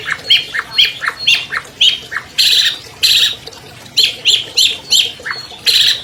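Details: Champion albino long-tailed shrike sings to lure quiet captive shrikes into singing: a string of short chirped notes, then two broad raspy blasts, then more quick chirps and a final harsh note.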